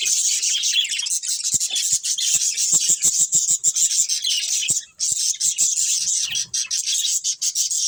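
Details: Many budgerigars in a breeding colony create a constant, shrill wall of chirping and fizzy warbling. Sharp ticking clicks run through it, with one brief drop in sound about five seconds in.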